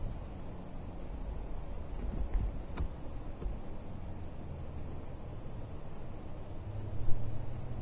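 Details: Steady low rumble with a few faint ticks and soft clicks, and no animal voice.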